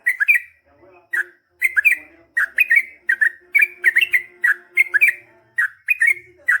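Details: Yellow-vented bulbul pouring out its long 'ropel panjang' song to draw replies from other bulbuls: about a dozen bubbly, chattering note clusters with rising and falling slurs, delivered in steady succession, a faint soft hum beneath.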